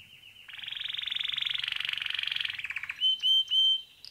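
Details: Canary, a male pet bird, in song: a buzzy rapid trill rising and falling, then three short, clear whistled notes repeated in a row.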